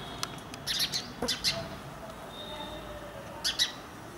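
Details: Indian house sparrow of Indian towns and villages, Passer domesticus indicus: rougher, squawky chirps in a scattered group, a single sharp click, and a final pair of chirps after a quiet gap.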